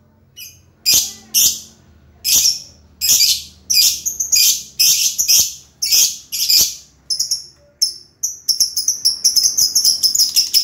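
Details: Lovebird chirping loudly in regular sharp, high bursts about every half second, then breaking into a rapid, twittering run of thin chirps at the close.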